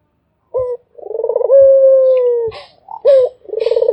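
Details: Barbary dove, a puter kept as a cage bird, cooing: a short clipped note, then a long steady low coo with a pulsed rolling onset, sliding slightly downward, and a second rolling coo beginning.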